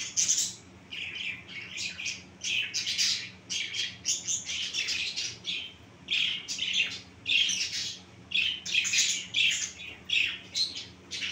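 Finches chatter with rapid high, buzzy chirps in overlapping bursts about every half second, several birds calling at once indoors.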